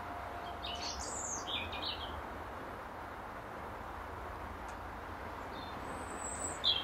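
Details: European robin defending its territory from an apple-tree perch near dusk; a brief run of high, tinkling, wavering notes at the start, then near quiet with faint fragments, and low background hum throughout.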